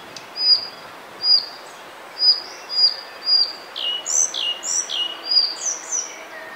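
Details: Male Collared flycatcher (Ficedula albicollis) singing in Bavaria, Germany, in May 2020: a series of high, thin whistled notes, some sliding down in pitch, repeated roughly every second against a quiet background.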